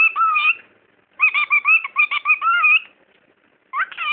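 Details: Talking bird named Punk gives three bursts of squeaky, speech-like mimicry with wavering tones, including "what are you doing?" followed by an unclear phrase; the longest phrase runs about 1.5 seconds, with short pauses between.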